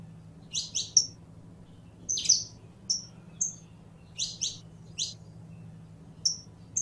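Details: Canario criollo, the saffron finch (Sicalis flaveola), in song: clusters of two or three piercing high chips alternating with brief clear whistled notes, repeated roughly every second, over a quiet background hum.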